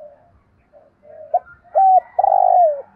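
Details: Spotted dove call for training decoy birds: quiet soft coos rising into a clipped note, a short flat coo and a long loud coo that slides down at the end.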